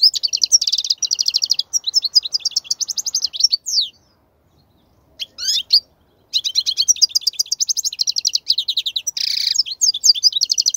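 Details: Song of the European goldfinch for tutoring young birds. Long, busy runs of twittering and rattled trills, one pause of about two seconds in the middle, then a continuous bright, buzzy outpouring to the end.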